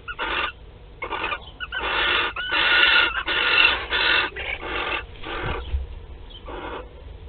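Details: At Théding, France, on 15 March 2021, a Western barn owl lays its first egg in a nest box. A rapid series of about a dozen harsh, breathy screeching bursts runs unevenly, some merging into longer rasps, over a low hum.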